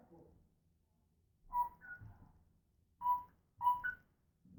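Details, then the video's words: Pet African grey parrot making noises, giving clear tonal whistles, each a steady note followed by a higher short note, repeated three times with gaps between, over quiet room background. "African Grey Talking and Making Noises"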